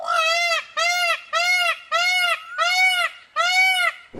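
Indian Peafowl giving six loud, nasal, honking wails in quick succession, each about half a second long and strongly harmonic, with short pauses between them.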